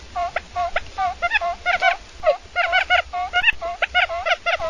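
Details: Quail call played to lure birds into traps, a rapid run of short, sharp, harmonic notes, often in pairs or triplets, repeated continuously without pause.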